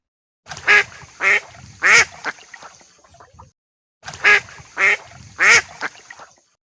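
A duck gives three loud, nasal, raspy quacks about half a second apart, and the run of three is heard twice.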